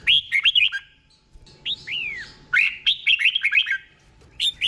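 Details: Red-whiskered bulbul, caged, singing the 'beun' style slowly for copying: rich whistled notes swooping down then up, a drawn-out arched phrase followed by a fast cluster of chirpy whistles.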